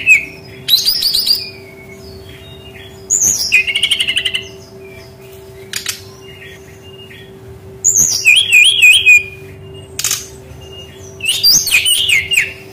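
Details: Song of a brown-chested jungle flycatcher, used to lure young forest birds that sing little: bursts of sweet high whistles, quick trills and wavy warbled notes, each lasting about a second with long pauses between; faint constant hum.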